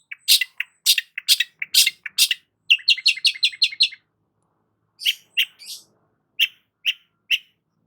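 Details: Long-tailed shrike singing a fast burst of harsh, scratchy notes followed by a quick series of clipped chips, then a pause and several spaced single chirps.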